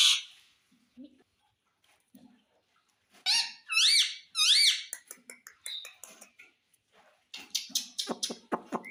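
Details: Indian ringneck parakeet, a talking parrot said to say mummy and papa, gives a run of rapid rising chirping squawks in a burst, then scattered ticking clicks and short noisy chatters.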